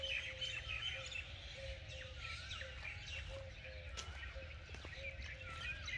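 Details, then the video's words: Morning birdsong after rain: a dense chorus of several birds with repeated high whistles, twittering and short sliding notes, over a steady low rumble. "Morning Birds Sounds"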